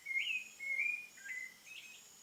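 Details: A thrush sings at sunset in the countryside, a short run of clear, high whistled phrases, some rising and slurred, with a faint steady hiss behind.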